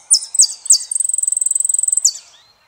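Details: Saffron finch, the Argentine jilguero, sings three sharp, high, downslurred notes, then a long, very rapid, even trill of high ticks lasting about a second, and one final falling note.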